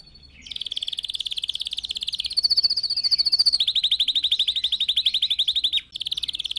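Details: A red factor canary sings to serve as a tutor for other birds: long loud continuous trills of rapid repeated notes, changing pitch midway, broken by a brief pause before resuming.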